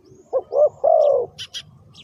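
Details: Lure-calling spotted dove delivers one phrase: two brief coos and then a drawn-out, slightly descending purring note. High chirps from another bird follow just after.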